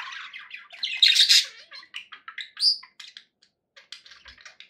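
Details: Pet budgerigars, described as happy, chattering with quick bursts of buzzy chirps and short squawks, some rising whistled notes, energy mostly high and scratchy, indoors.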